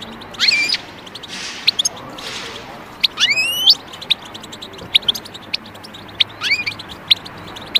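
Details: European goldfinch calls, used for taming birds: bright high chirps and a few sharp rising and falling whistled sweeps, loosely spaced over a steady hiss.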